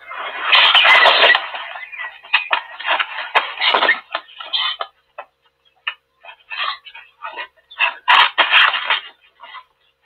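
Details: Black storks at a nest in Tajo Internacional, Spain, on 18 March 2024 fight an intruding stork, giving harsh hissing bursts and clattering noises in an irregular scuffle, loud at first, then broken into short rasping pieces.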